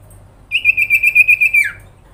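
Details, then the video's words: One high, even trill from a common iora, about ten quick pulses on a steady pitch, then a sharp downward slur at the end; meant to draw a response from other ioras, with only a soft low hum behind. "sirpu grincingan dalam sekejap bikin burung sirtu sepasar langsung respon Emosi"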